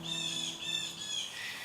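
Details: Blue jays in a suburban Nashville backyard give harsh, raspy jeering cries, strung together with barely a break, because they have seen a hawk, over a faint low hum.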